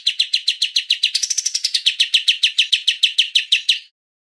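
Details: Streak-eared bulbul in 'tembak berjeda' song, a rapid-fire volley of crisp repeated chirps, briefly accelerating into a rising then falling sweep before steady chirping resumes and stops abruptly.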